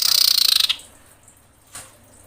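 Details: Female common iora in breeding condition calling to attract males, used as a lure: a rapid, harsh, buzzy pulsed burst lasting under a second, followed by quiet and one faint short note.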